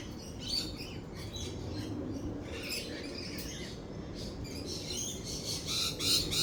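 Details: Lorikeets calling during a thunderstorm with rolling thunder and lightning: scattered shrill, screechy bursts of chatter over a steady low rumbling background.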